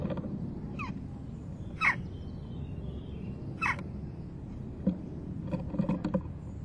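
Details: Begging fledgling western jackdaw at its nest box, 12 June 2015 at 11:19, fed by its parents before flying off; a few spaced, sharp, downward-sweeping calls, then a cluster of clicks and scrapes.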